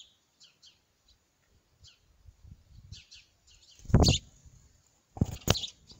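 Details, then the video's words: House sparrow at the time of its first flight; short high chirps in small clusters scattered through the recording, interrupted by two loud bursts of knocking handling noise. "Wróbel pierwszy lot 👍👍🤓 głos i film"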